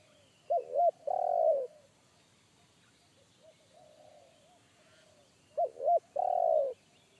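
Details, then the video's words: Bassy single-kuk call of a forest spotted dove. Two phrases about five seconds apart, each a quick quavering double note followed by a long, rich coo. Fainter distant cooing and soft background whistles are heard between them. "PIKAT AJARAN T4KUT MENDENGAR SUARA TEKUKUR INI‼️SUARA BESAR NGEBASS"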